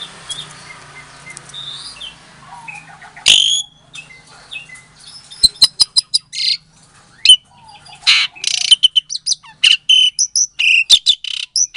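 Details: Asian pied starling bred in captivity in Klaten, Indonesia, recorded February 2022, singing a lure song meant to make silent starlings answer: soft low chatter builds into a fast string of loud, harsh, clipped notes and rasps.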